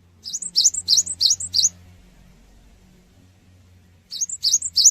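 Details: Cinereous tit luring song aimed at drawing responses: five high, bright phrases in fast rhythm, a two-second pause with faint low hum, then three more phrases.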